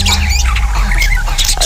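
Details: Two male pet Budgerigars, yellow and green, about 3–5 years old, kept in a cage in a house yard, chatter in quick, scratchy, rapidly changing chirps and squeaks over a steady low hum; owner says they call whenever something happens.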